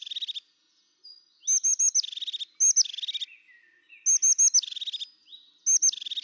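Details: Repeated calls of a crested tit over six seconds: clusters of high, thin, sharp notes, each flowing into a low, dry, rapidly pulsed purring trill, about four such phrases with brief pauses between.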